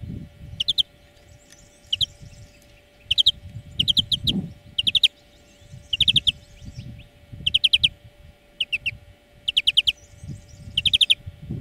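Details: European greenfinch on a song-lesson track for training birds. Clipped groups of three to five rapid chirps repeat roughly every second, with soft low rumbling and a constant faint hum behind.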